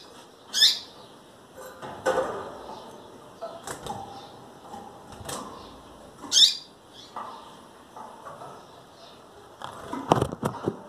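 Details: Female double-collared seedeater, nearly ready to breed and calling a lot, gives two sharp, steeply sweeping high chirps about six seconds apart, with soft clicks and low rustling in between.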